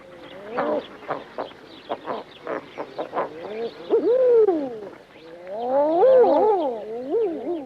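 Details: Female Common Eiders give a run of short, gruff clucks about twice a second, then drawn-out, moaning notes that rise and fall.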